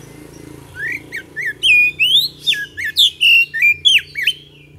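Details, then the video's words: Lively Oriental magpie-robin song played as a lure to make other birds respond quickly: a dense run of clear whistles, upslurred and downslurred notes and short squeaky trills, delivered about three per second over a quiet low background. "PANCINGAN KACER GACOR AGAR CEPAT RESPON, PANCINGAN KACER BAHAN"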